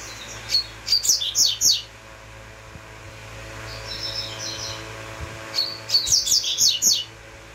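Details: Song of a double-collared seedeater: a rapid run of sharp, very high notes, a softer buzzy phrase after a pause, then the sharp run repeated, with a faint low hum underneath.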